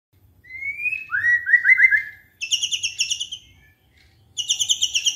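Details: Magpie-robin song intended to trigger a quiet bird: a thin rising whistle and short fluttering trill, then two bursts of fast, buzzy, high chattering notes, over faint low rumble.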